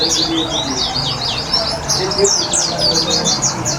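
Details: Caged white-eye (pleci) given water therapy to bring it into full song: rapid high twittering of quick down-slurred and zigzag notes, continuous and fast, with faint low background noise.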